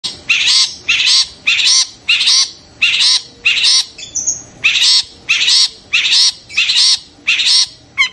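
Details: Long-tailed shrike giving a scream meant to rouse other shrikes into excitement and song: harsh, rasping bursts repeated about every two-thirds of a second, eleven in a row with one brief pause.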